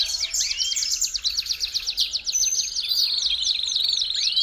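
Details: Belgian canary song used to warm up a canary: a busy, high, shimmering stream of rapid trills and quick slurred notes, continuous and layered from start to finish.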